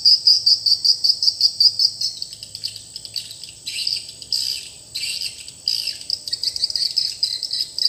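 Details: Swiftlet lure call played in a swiftlet house with new calling sound: rapid series of sharp high clicking chirps, pulsing about three per second, then denser bursts of twittering.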